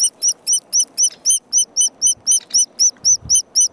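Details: White-headed woodpecker chick at a nest in a creative spot near park headquarters, waiting while its mother searches for food; high, thin arched notes repeated steadily about four times a second, with faint low rumbling beneath.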